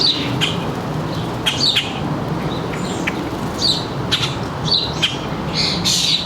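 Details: Birds at a suburban backyard feeder in northern New Jersey, 3 July 2022, around 4 p.m., with fledged young about: short high chirps in scattered bursts, some doubled, over a steady low background hum.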